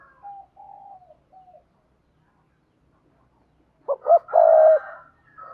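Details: Spotted dove giving thúc gù coos, used to train newly caught doves: soft low coos at first, then a quiet gap, then a loud phrase of two short rising hoots and a drawn-out steady coo.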